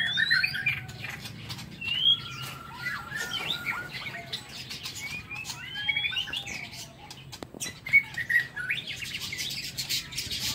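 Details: Softer morning singing by a White-rumped shama in its aviary: short whistled and trilled phrases spaced apart, with clicks, a sharp knock and faint hiss.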